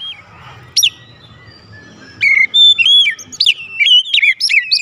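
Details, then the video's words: Oriental magpie-robin lure song meant to make other magpie-robins respond: near silence with one sharp high note early, then a burst of clear whistled phrases and rising-falling slurs over the final two and a half seconds. "PANCINGAN KACER MANAPUN AUTO RESPON NGEPLONG"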